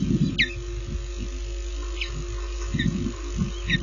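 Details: Osprey at its nest in Lipka, Poland, 25 June 2016 at 15:54, carrying fish for the young, recorded by nest camera; four brief shrill whistled chirps spread out, with gusty low background noise.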